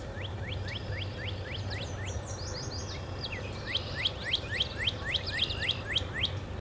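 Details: American goldfinch at Wakarusa Wetlands, Lawrence, Kansas, giving quick, bright upslurred twitters, about four a second, growing into a denser overlapping jumble, over a steady low hum.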